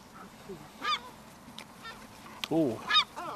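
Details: Gulls crowding for food on Brean Sands beach in Somerset, England, April: a few sharp mewing cries and a harsh descending squawk, separated by short quiet gaps.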